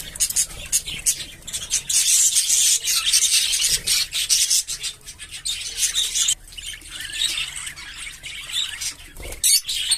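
Budgerigars chatter in a constant run of scratchy, high chirps and rasping warbles.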